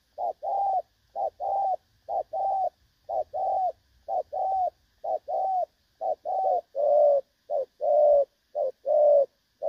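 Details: Decoy call of a spotted dove for trapping, đồng son style: regular bursts of low cooing notes, pairs and longer coos about once a second, growing louder near the end.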